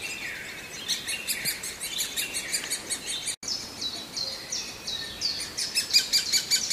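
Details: Constantly hungry great spotted woodpecker nestling calling for food with fast, thin, high chirps, broken by a brief silent gap midway before the chirping resumes and grows louder.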